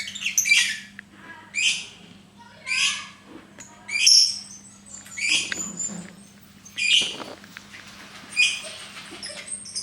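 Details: Lovebird repeating short, harsh, high chirps roughly once every second or so. The notes are scratchy and descending, set over a faint steady hum.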